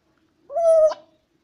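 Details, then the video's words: Pet African grey parrot, 25 months old, asking for its snack with one drawn-out, clear vocal note held steady for under half a second, then ending in an abrupt upward flick, in a quiet room. "gris du gabon demande son goûter"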